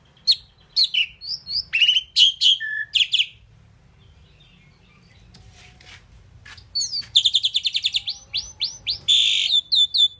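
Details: Talking Indian pied myna gives a burst of whistles and harsh notes, falls silent for several seconds, then resumes with a fast train of repeated rattling chirps and whistled sweeps.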